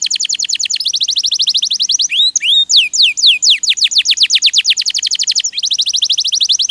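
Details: Loud canary song for training other birds: long rapid trills of sharply falling notes, several per second, breaking into a few slower swooping whistles midway before the fast trill resumes.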